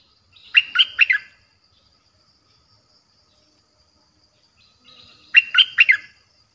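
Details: Streak-eared bulbul lure song meant to attract feisty wild birds: two matching bursts of three to four bubbly notes, separated by about four seconds of near silence.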